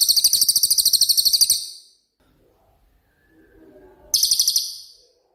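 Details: Cililin singing in its 'tembakan' style, used for songbird training: a high, fast pulsed trill fades out, a faint low murmur fills a pause of about two seconds, then a second brief burst of rapid pulses.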